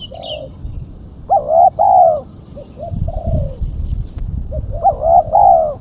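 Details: Spotted dove female call for luring birds: repeated loud double coos with harmonics, separated by quieter short cooing notes. A faint high chirp is heard at the start.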